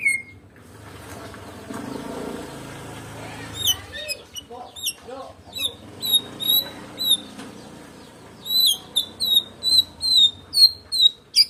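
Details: White-rumped shama of the Medan type, singing without a rival. Indistinct human voices and background noise come first, then a fast, regular series of sharp, high, clipped notes repeated about twice a second.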